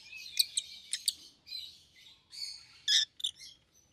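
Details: Two caged rosy-faced lovebirds, a yellow bird and a green bird with red heads, chattering in high, harsh chirps and squeaks, with loud shrill bursts separated by brief pauses.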